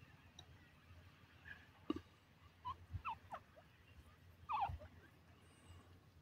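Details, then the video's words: Grey francolin, a local partridge, uttering scattered short sliding notes, then a louder doubled burst near the end, amid occasional knocks and low thumps. "dasi tetar ki awaz,teetar sound,partridge bird awaz"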